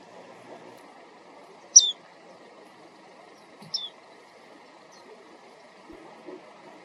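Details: Japanese white-eye in the wild, recorded by compact camera on a walk: two separate short, high, descending 'tsee' notes about two seconds apart over quiet low background rumble.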